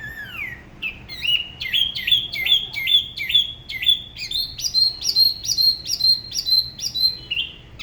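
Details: Spot-throated babbler, Da Lat bird from La Ba river, singing alone in its regionally distinct style: a falling opening whistle, then a fast, accelerating string of high upslurred notes that climb in pitch before dropping at the end.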